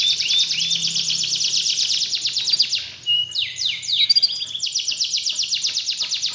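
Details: Canary song played to provoke a lazy canary into singing. Dense buzzy trill for three seconds, a brief dip in volume, then steep downward sweeps and renewed fast rattling trills to the end.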